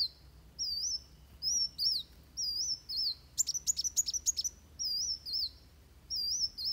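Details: Van Hasselt's sunbird giving its fighting song, used as a tutor recording for training birds: high, thin wavy whistled phrases repeated about every second, with a burst of sharp rapid chips in the middle. Faint low hum underneath.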